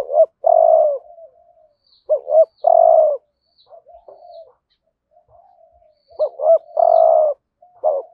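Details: Decoy spotted dove giving prodding 'hạp bổi' coos meant to stir wild doves; three husky coo phrases with paired rising lead notes, quiet murmuring between them and faint high chirps in the background.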